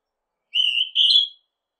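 A Northern hawk-cuckoo gives one shrill, whistled two-note phrase, the second note slightly higher and rising. The background is silent.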